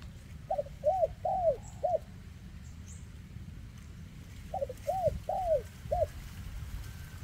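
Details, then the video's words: Spotted dove with a leg defect, praised as a gifted 2024 caller in the 'kèm rước siêu dầy' cooing style; two clear phrases of four mid-pitched coos, short, arched and rising-falling, over a low rumbling background. "Chú Chim Có Tặt Có Tài , Siêu Phẩm 2024 Kèm Rước Siêu Dầy ( Chim Bị Rẩy Giò )"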